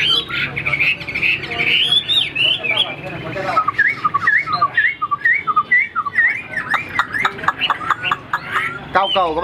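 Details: Caged Chinese Hwamei, tail fanned even at rest, singing a long loud sequence of quick whistled slurs and repeated upswept notes, with some voice in the background.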